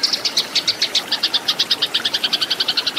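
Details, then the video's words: Fighting song of a Eurasian tree sparrow meant for training cage birds: a quick series of bright, slightly buzzy double-toned chirps, repeated about seven times per second, growing tighter toward the end. "MASTERAN BURUNG GEREJA TARUNG"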